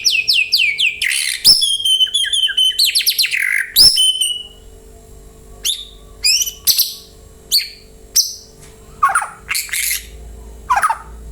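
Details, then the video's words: White-rumped shama song played to get other birds to reply: a burst of fast high chattering notes and rapid trills, then spaced sharp downslurred whistles and occasional lower phrases every second or so, over a quiet steady hum. "Pancingan murai jadikan burung anda ikut nyaut dan gacor"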